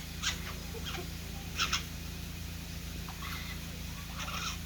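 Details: Green jay, seen alongside black jays, calling while looking at the observer curiously; short harsh broadband squawks come at about 0.3, 1.6, 3.3 and 4.3 seconds over a steady low electrical hum.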